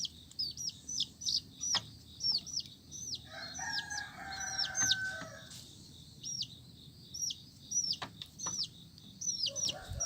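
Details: Flock of colourful chicken chicks peeping: rapid high down-slurred cheeps, pausing briefly, then resuming, with a low humming sound in the middle and faint clicks.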